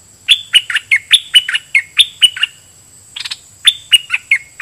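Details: Caged red-whiskered bulbul used as a lure, singing doubled phrases at wild birds: a bright run of bouncing, warbled notes, a brief pause with a softer scratchy note, then the phrase starts again.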